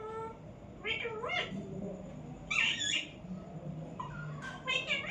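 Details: Pet parrot in a room giving a few loud, harsh, harmonic squawks and speech-like syllables separated by short pauses, over faint background hum.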